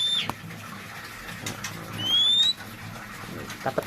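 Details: A tame captive oriental magpie-robin (Javan black form) that has just finished moulting gives a few clear, high whistles, one long note sliding upward, then brief soft notes, against light clicks and room noise.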